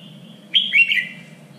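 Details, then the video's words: Single short Red-whiskered bulbul phrase for contest training: a sharp whistled onset followed by a quick warbling slur dropping in pitch, over a faint steady hum. "LUYỆN CHÀO MÀO ĐẤU || GIỌNG CHUẨN 3 MIỀN"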